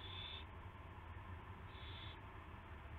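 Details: Owl at the nest in early morning, March 9, 2016, around a rat delivery: a thin, high squealing note followed by a longer breathy hiss, over low steady hum.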